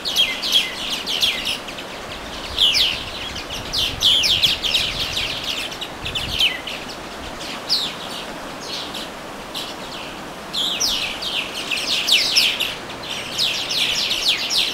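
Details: Small songbirds singing by the Watarase River on May 4: bursts of high, sharp chirps and quick downward-swept notes in clustered phrases, with short quieter gaps between flurries.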